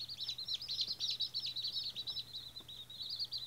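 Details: First-day baby White Australorp chicks peep nonstop, a dense stream of high-pitched chirps from several birds at once over a low electrical hum.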